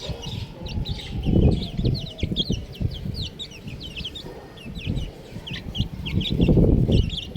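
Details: A brood of chicks keeps up a busy chorus of sharp, high, falling peeps, over low bumping and rustling noise that swells twice.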